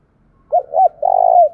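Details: Spotted dove cooing to stimulate wild doves to call, a playback style from Vietnam; two short rising notes followed by a longer, drawn-out vibrating coo in a quiet setting.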